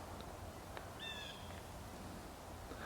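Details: Blue Jay in winter at a frozen bay in Erie County, giving one short, nasal, harmonic cank, bright and slightly squeaky, alarm-calling at a person nearby, over a steady low rumble of wind.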